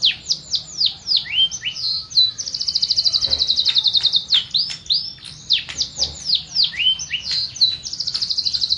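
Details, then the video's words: Canary song that alternates between series of falling swoops and long, buzzy high trills. The pattern repeats twice across the recording, over faint background hiss. "تغريد مع جميع أنواع طيور الكناري"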